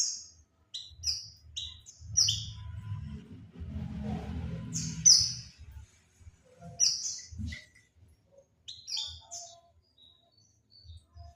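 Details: Oriental white-eye lure call for attracting birds: very high, thin whistled chirps in short scattered bursts, some paired, with brief gaps, alongside low rumbling noise and faint scattered lower notes.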